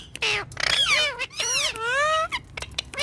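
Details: Pet green ringneck parakeet known as a talking parrot gives harsh, bending vocal phrases with rich harmonics, several drawn-out rising and falling sounds over three seconds, with brief gaps between them.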